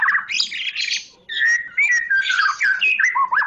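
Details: Loud Medan-type white-rumped shama song: harsh, noisy chattering bursts give way to fluid whistled phrases that swoop up and down in quick succession.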